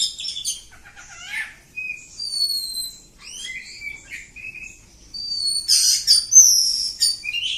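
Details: Village-type oriental magpie-robin singing continuously, alternating pure drawn-out whistles, short rising and falling slurs and bursts of scratchy chatter, with brief pauses between phrases in a quiet setting.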